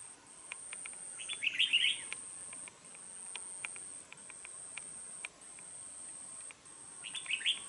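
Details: Decoy red-whiskered bulbul from Dong Nai, Vietnam, a keen singer with a harsh voice. One loud, twisting chattered phrase early, another at the close, with scattered sharp clicks and ticks between.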